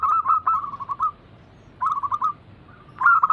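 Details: Zebra dove cooing meant to lure captive doves into song: three separate bursts, each a fast rolling run of clipped notes slowing at the end, with quiet gaps between.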